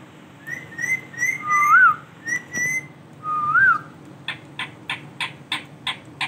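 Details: Male rose-ringed parakeet giving a series of flat whistles with two lower, rising-falling whistled notes, then a rapid run of short, scratchy calls repeated about three times a second over a faint hum.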